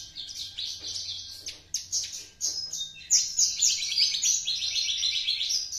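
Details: A two-month-old juvenile Javan Horsfield's bush lark, already copying tutor song, sings a rapid, jumbled run of high chirps, buzzes and twitters, about four notes a second, with a faint low hum beneath.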